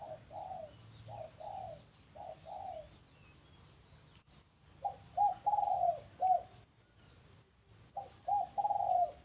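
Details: At a house, a dove repeats short bursts of rolling, mellow coos, paired notes followed by longer trilled phrases, with pauses between bursts and faint background hum.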